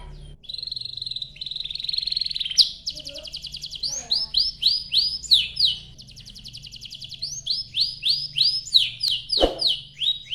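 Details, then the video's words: Long canary song used to set other canaries singing: a drawn-out buzzy tone, rapid trills, then steady series of rising whistled notes, with a faint low background hum. "Kicau Suara Burung Kenari Gacor Panjang cuit cuit Ngerol untuk Pancingan Kenari"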